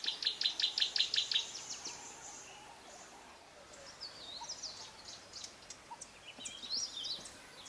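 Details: African paradise flycatcher (subspecies kivuensis) in Kibuye, Rwanda, March 2013: a quick run of about eight bright, ringing notes, then softer, scattered high chirps over a faint background hiss.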